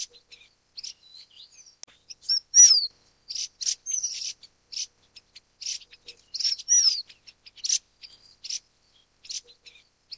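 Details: Golden parrotbill (Suthora verreauxi), species with a subspecies endemic to Taiwan's high-mountain dwarf bamboo: sequence of high, dry chips and short buzzy bursts punctuated by thin curved whistles, loosely repeated over ten seconds.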